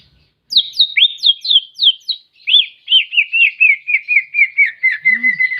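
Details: Greater green leafbird, in the clear 'tembakan' song style, gives a series of about fifteen loud, clean, downslurred whistles, each dropping in pitch, with the series gradually sinking lower; no other sounds.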